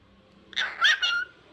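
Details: After a person prompts "say peekaboo", a pet talking bird gives three quick speech-like syllables in a row, clear and tonal, with a whistly tone at the end. The room is quiet and a person's voice follows.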